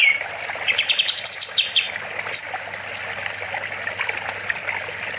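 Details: Olive-winged bulbul (kapas tembak) singing energetically in a master recording used to train other songbirds: scattered high chirps and short rising and falling whistles over a steady trickle of water and a constant high hiss.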